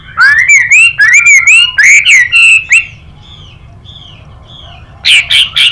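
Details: Chinese hwamei contest singing with a female calling: a fast, rising warbled phrase of looping whistles, a quiet stretch with faint soft notes, then a loud harsh burst.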